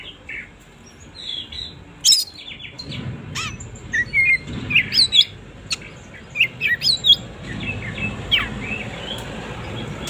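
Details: Oriental magpie-robin singing in the morning, used to spur lazy magpie-robins into song: scattered sharp whistles and chirps, some rising and falling, loose phrases over a low rumbling background.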